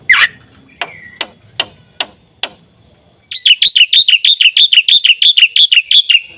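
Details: Sharp spaced clicks and a short whistle open this gacor black-winged starling song with full isian, followed by a long rapid series of about seventeen loud, evenly repeated ringing chirps.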